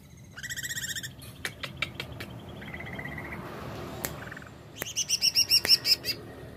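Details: Greater green leafbird song with a quick series of high chirps, a flat whistled note, scattered clicks, then a rapid repeated chirping run near the end.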